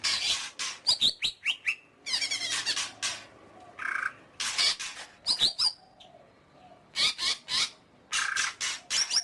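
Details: Long greater green leafbird sequence of rapid scratchy chatter, harsh broadband calls and buzzy rattles, with short whistled slurs between the bursts.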